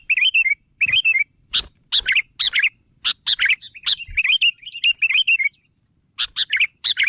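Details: Sooty-headed bulbul singing vigorously, delivering clusters of bright, rolling, warbled phrases separated by sharp clicks, with a brief quiet gap before a final run of notes.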